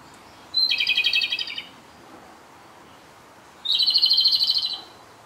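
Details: Japanese robin, a bird that stayed six days at a local field site, singing close by on its departure day; two loud, even, rattling trills about a second long, each begun by a clear high note, three seconds apart.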